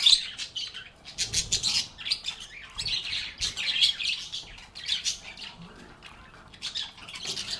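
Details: Group of cheerful budgies singing and chatting with one another, a steady run of rapid, buzzy high chirps and warbles in uneven bursts, a quieter stretch near the end before chirping picks up again.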